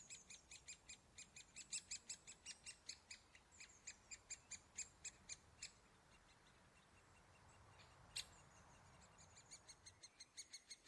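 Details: Great spotted woodpecker feeding young at the nest hole: high, sharp chips repeated about four times a second in long runs, with a brief pause before the series resumes.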